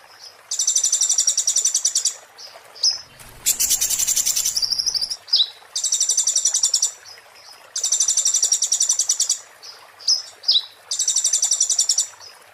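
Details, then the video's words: Oriental white-eye song, muntah beling style, used as a master recording: long dense buzzy trills of one to two seconds repeat through the recording, with brief chips between them and one loud broadband burst of noise. "master konin muntah beling"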